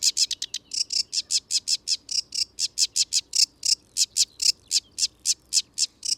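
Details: Sedge Warbler in wet habitat with ditches and ponds, giving a loud, high, varied chattering song of rapid, evenly spaced notes, about four per second, starting with a quick burst. It is louder and higher than Reed Warbler.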